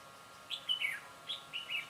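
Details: Red-whiskered bulbul used as a decoy to trap birds, recorded 22 September 2017. Two short warbled phrases, each a quick run of three or four whistled notes slipping downward, separated by about half a second of quiet.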